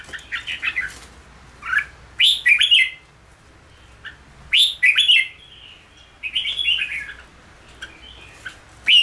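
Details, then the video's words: Caged red-whiskered bulbul being trained to sing, giving short bursts of bright, warbled whistled phrases in clusters, each phrase rising and falling quickly, with pauses of about a second between bursts and a faint low hum behind. "Luyện chào mào ché/kích chào mào nhanh ra giọng"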